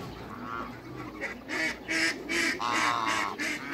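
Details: Backyard geese, an African male with a Toulouse female as a new pair: a run of loud, harsh, nasal honks repeated in quick succession over two seconds, following a softer opening call.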